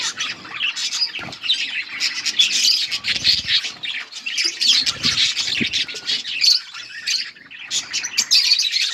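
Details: Colony of budgerigars chirping as they eat, with busy overlapping high warbles, sharp chirps and squawks, punctuated by soft fluttering and pecking sounds.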